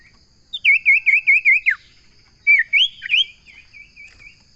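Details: Common iora (sirtu or cipoh) singing a fast series of about six wavy whistled notes that ends in a falling slur, a pause, then a few louder upslurred whistles and quieter trailing notes.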